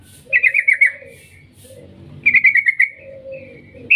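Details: Rapid chattering trills of a yellow-vented bulbul, recorded as a lure to set bulbuls singing: two bursts of quick bright notes, each followed by a low, drawn-out warble.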